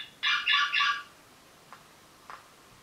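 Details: A pet eastern rosella indoors gives three quick, harsh, chattering notes in under a second, followed by two faint short clicks in a quiet room.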